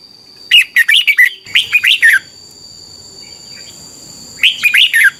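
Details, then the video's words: Song of a red-whiskered bulbul from Thailand, in a doubled style meant for young birds to copy: two rapid bursts of liquid, warbling notes, a pause, then a third phrase, over a constant thin high hum. "นกกรงหัวจุก, 30 นาทีทุกเช้า เพื่อให้นกเรียนรู้ที่จะพูดได้อย่างรวดเร็วและหนักแน่น"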